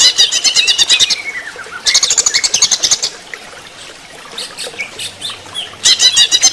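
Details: During running-water therapy, a greater green leafbird sings in loud bursts of quick, ringing repeated notes, each burst about a second long, with softer chirps and whistles between them.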